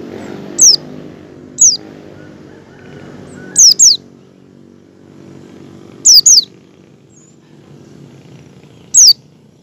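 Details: Oriental white-eye in ngecal mode, learning ngalas, intended to make fellow white-eyes open their beaks and sing; piercing, high falling whistles, singly and in doubled bursts, roughly every one to three seconds against low droning noise.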